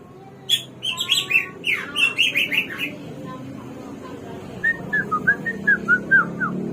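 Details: Hwamei, known locally as samyong or garuwa and called the bird of 1001 voices, singing: a burst of rich, slurred warbled notes, then a pause and a lower series of short whistled slurs repeated about twice per second.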